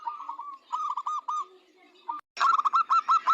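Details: Local zebra dove in full song, kept as a training recording that draws replies from other birds. Rapid runs of arched cooing notes, a soft opening phrase, then a louder, quick-fire burst after a short pause.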